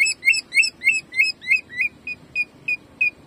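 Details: Greater green leafbird singing in jamtrok style, a training recording: a rapid run of short, bright whistled notes, rising slightly then levelling, repeated about three times a second and softening toward the end.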